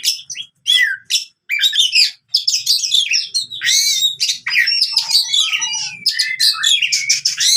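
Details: Fighting song of an oriental magpie-robin for birds that have stopped singing; short gapped bursts at first, then a continuous rush of buzzy chatter, squeaky whistles and trilled notes.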